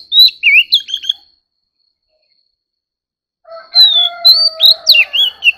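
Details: Oriental magpie-robin in a singing contest: a short burst of whistled slurs, a long quiet gap, then renewed rich whistling over a low drawn-out tone.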